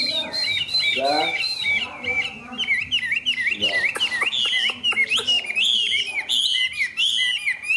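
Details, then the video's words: Energetic song from a caged, tame hwamei: dense, rapid, high whistled notes bouncing up and down, mixed with some harsher chattering bursts in the middle. "Họa mi xòe, Thuần đẹp mau mỏ hót hay"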